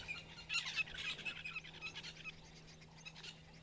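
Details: Arrow-marked babblers, grey birds hopping about on 27 November 2022, in a harsh, raucous chattering chorus, overlapping scratchy bursts that peak early and then fade; a faint steady low hum underneath.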